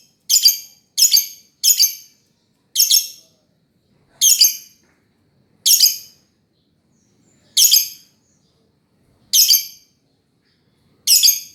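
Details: Lovebird uttering strident, buzzy chirps, some in quick pairs and others spaced one to two seconds apart, nine bursts in all over a silent background.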